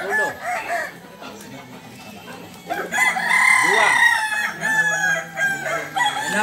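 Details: Crowing contest of Balenggek chickens, landiak class, Sunday at Ampang Kualo in Solok city. Repeated undulating crows rise and fall in rhythmic steps, swelling loudest midway, with several roosters overlapping and a low crowd murmur.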